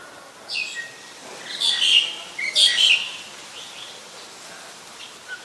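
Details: Black-collared starling from Ubon Ratchathani, Thailand, 25 December 2019, giving two loud rasping, squeaky call bursts about a second apart, with faint thin notes before and after.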